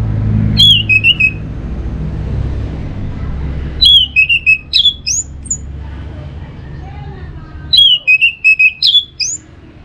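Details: Orange-headed thrush song, used to stimulate other birds to sing in the morning or when covered: three bursts of clear whistled phrases with short stepped notes, separated by pauses, over low rumbling background noise.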